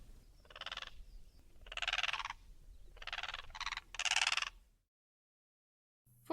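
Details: A Blue Crane gives five loud, harsh, rattling croaks in under five seconds, some paired closely, then silence.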